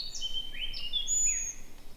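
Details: Two young Eurasian pygmy owls in Niepołomice Forest, Poland, in mid-June beg the male for food with thin, high, squealing calls that rise, fall and overlap in quick succession, over a low hum.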